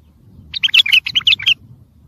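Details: Bulbul song played to train and stimulate young birds: one quick burst of about eight bright, chirpy, warbling notes over a quiet low hum.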